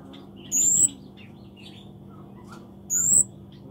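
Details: A Scarlet-backed flowerpecker (kemade) sings in full voice, giving two piercing, thin, high notes that glide slightly upward, about two and a half seconds apart, with soft chirps from other birds and a low background hum.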